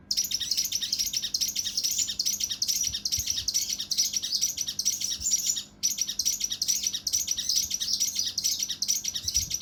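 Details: Cucak rante mas, the mountain leaf warbler, delivering 'tembakan kasar rapat' (rough, tight shots) in the emotional kinoi style for training competition birds: nearly continuous, shrill, rattling chirps repeated rapidly, with one brief break midway.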